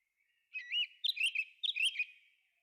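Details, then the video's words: In a forest, a thrush gives one short song phrase: a fluted, wavering whistle followed by two quick bursts of twittering, high notes. "Thrush singing"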